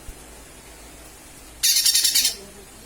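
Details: Lesser green leafbird calling, used as a lure: one harsh, buzzy burst of about three-quarters of a second with rapid pulsing, high-pitched and noisy, against a quiet background.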